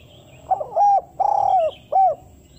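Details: Spotted dove lure call, used for trapping, in the style of calling a female: a quick stuttering lead-in, then a sustained mellow coo, a longer wavering coo and a short closing coo, loud and clear over a quiet background.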